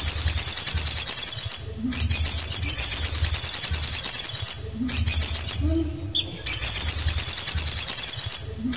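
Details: Canary song made of long, fast, high-pitched rolling trills that run for several seconds at a time, broken by brief gaps and a few isolated chirps.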